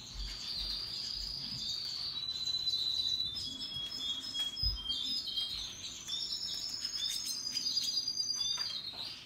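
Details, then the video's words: Russian yellow and Timbrado canaries happily singing in a group: long, rapid, high rolling trills and twittering phrases run almost nonstop, notes repeating several times a second, with other birds' chirps mixed in. "Relaxing Canaries and others birds singing sounds"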